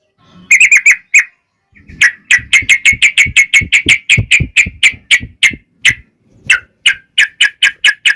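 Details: Yellow-vented bulbul singing in a long bout, meant to trigger replies from other bulbuls: rapid sharp chirping whistles in quick bursts, broken by short pauses, with faint low thumps beneath.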